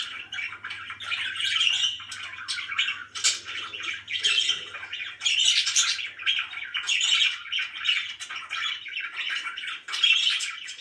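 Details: Happy pet budgies keep up dense chirping chatter with harsh squawky notes and warbling phrases in steady bursts, a low hum audible early on.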